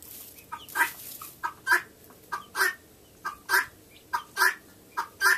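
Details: Female guinea fowl singing on November 28, 2011, while a hen does a scratch-dance to it: harsh, rasping two-part calls repeated roughly every second in an uneven rhythm, with quieter clucks between.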